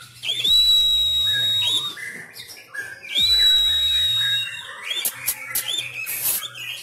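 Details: Fighting-style song from a Sumatran Oriental magpie-robin trained at home while contests are suspended. Two drawn-out flat whistles, each over a second long, end in downward twists. Scratchy chirps and rapid bright notes follow over a faint low hum.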